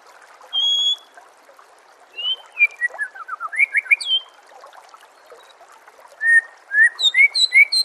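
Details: White-rumped shama song for training songbirds. A long clear whistle, then a descending run of quick notes and upward-slurred whistles, ending in a fast sequence of rising chirps over a constant hiss.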